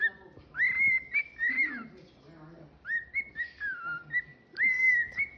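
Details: Indoor pet cockatiel singing a whistled melody: rising then level clear whistles, a bowed note, a break, then steady and falling whistles; faint low background noise beneath.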